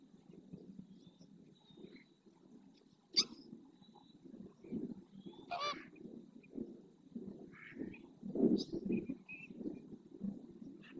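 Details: Greater flamingos in a group display in the marshland of Doñana National Park near El Rocío, Huelva, Spain, splashing and opening their wings; a constant low murmuring chatter broken by a few scattered nasal honks and brief higher notes from other birds.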